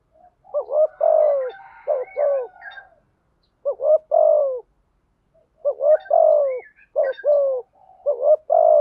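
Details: Spotted dove calls of male and female, used for luring and training birds: bursts of staccato notes and long down-slurred coos in clusters separated by short silences, soft twittering of other birds above.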